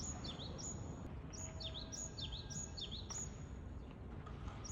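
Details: Japanese tit in Japan singing a steady series of about six quick phrases, each a high note sliding down into a lower swoop, repeated roughly twice per second. Faint clicks and low rumbling noise are heard behind.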